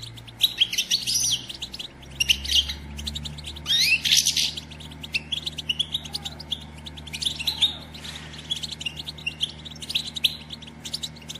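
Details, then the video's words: European goldfinch, said to be a female, batbata recording for spurring caged males to sing and breed: busy twittering song in several dense bursts of high tinkling notes, with a faint low hum underneath. "بتبتة أنثى الحسون"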